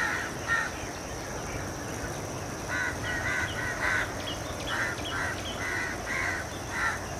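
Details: Dusk roost of house crows, Corvus splendens protegatus, in Colombo, Sri Lanka, February 2014: a crowd of rasping caws, several per second, rising and falling in bursts above a constant rumble of traffic.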